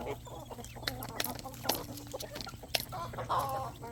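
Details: Feeding poultry on a country farm in the evening, with roosters, hens and chicks. Stuttering clucks are joined by a steady low droning note and thin, high chick calls, and clicks of pecking punctuate them.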